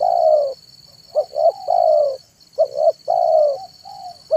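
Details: Afternoon cooing of a spotted dove (tekukur), played to lure wild birds: a long low coo, two short notes, another long coo, repeated, with a constant high-pitched whine.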